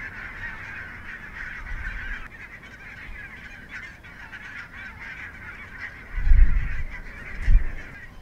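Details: Large wintering flock of barnacle geese, from the Svalbard breeding population, at Mersehead RSPB Reserve, Dumfries and Galloway, November 2011. Unbroken babble of short barking yelps from many birds, with gusts of wind buffeting near the end.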